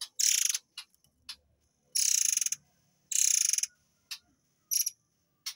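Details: Murai air in 'tembakan air mancur' (fountain shot) style, recorded as masteran for white-rumped shamas: repeated half-second bursts of rapid, rasping, ratchet-like pulses separated by short gaps, with scattered brief harsh notes.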